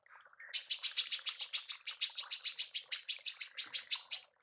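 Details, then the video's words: Female manggar 'tembakan', used for mastering songbirds: one long unbroken burst of high, buzzy, clipped chirps, about four per second, steady in pitch and loudness. "TEMBAKAN MANGGAR BETINA"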